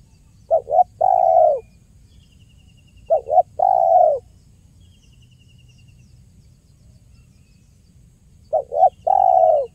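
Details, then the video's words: Spotted dove giving the 'kuk 1' lure call used to attract birds for trapping: three clear phrases, each two short hoots followed by a long, steady, slightly falling coo, spaced irregularly over a quiet low hum. "SUARA JERNIH BURUNG TEKUKUR KUK 1 GACOR"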